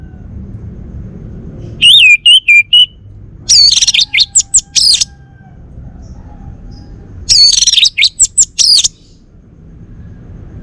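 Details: Caged male orange-headed thrush from Bali sings a few high looping whistles, then dense bursts of shrill, scratchy chattering notes, and after a quiet gap a second such burst, against faint low rumble.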